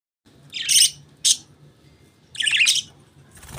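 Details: Budgerigars chirping: bright, scratchy bursts of high chatter, each about half a second long, separated by short pauses, with a faint low hum underneath.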